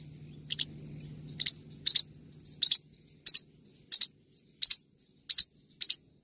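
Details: Forpus parrotlet chirping: ten sharp doubled high notes spread over six seconds, irregularly spaced, above a steady thin tone, with a low hum fading out early on.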